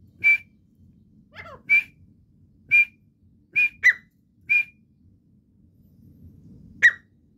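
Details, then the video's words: Teetar, a partridge, giving loud, short whistled calls at uneven intervals, some doubled with a quick second note. The background is quiet apart from a faint low hum. "teetar calling sound / तितर की आवाज. partridge voice"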